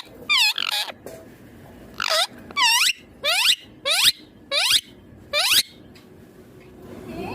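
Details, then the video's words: A captive green ringneck parrot repeats sharp screechy notes, each sweeping upward with rich harmonics, roughly one every second or so, about eight times, over quiet indoor background. "My Ringneck Green Parrot Talking Natural Sounds"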